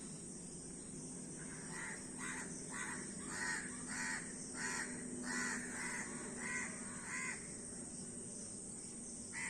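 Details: Many crows: a run of about a dozen harsh caws spaced roughly half a second apart, rasping and nasal, with a low steady hum and hiss beneath.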